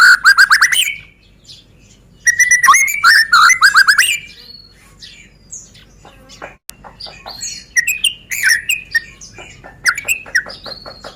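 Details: Caged White-rumped shama from Medan singing as a lure to spur other birds into song: fast rich phrases of varied whistles, clicks and rolling notes in rapid bursts, with brief pauses between sequences.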